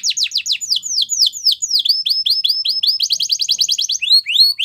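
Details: Belgian canary song meant for training young canaries: bright downward-sweeping notes repeated in quick series, then a fast buzzy trill and a return to sharp slurred whistles, no other sounds.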